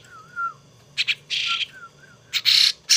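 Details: Hand-raised young pet starling making rough, noisy squawking bursts, some short and doubled, others longer and buzzy. A faint, wobbling thin whistle comes between calls in a quiet room.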